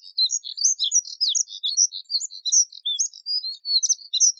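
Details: Continuous fast warbling song of Moussier's redstart, a dense run of high chirps, trills and short whistled slurs with no pause.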